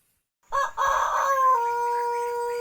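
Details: Start of a white Pelung chicken crow: a rough, broad opening burst settling into a clear, steady, ringing tone that stays level to the end.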